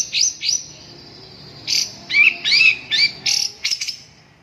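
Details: Long-tailed shrike song with two short buzzy notes, a pause, then a string of harsh rasping phrases mixed with brief whistled slurs and a final quick stutter of clicks.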